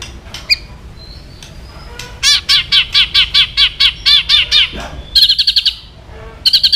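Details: A white-rumped shama, singing to provoke aggression, delivers a fast series of ringing, chattering notes about three per second, then quicker high trilled bursts.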